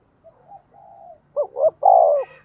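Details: Spotted dove decoy calling for wild doves: faint low humming notes lead into a single phrase of two brief notes and a long sustained coo.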